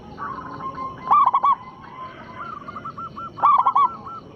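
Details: Local perkutut, or zebra dove, singing a big-voiced lure song to stir rival birds: two loud bursts of fast, bubbling low coos three seconds apart, separated by softer wavering cooing from other doves.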